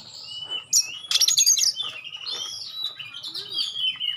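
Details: Magpie-robin song with sharp 'tembakan' shots and clear tones meant to stir rival magpie-robins: a loud rattling burst, then sweet looping whistles that rise and fall continuously, with faint low hum beneath.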